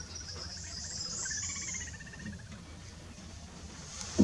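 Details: Little grebes during mating at Sandwich Bay reserve, Kent, UK: a brief, fast, high whinnying trill of rapid even notes lasting about a second, over steady high insect hiss and low hum.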